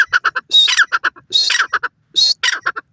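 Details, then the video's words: Francolin, known locally as junglee teetar, in forest: loud grating phrases of clipped notes, each with a harsher rasping middle, repeated three times in quick succession. "junglee teetar ki jungal m awaz,francolin bird sound in forest"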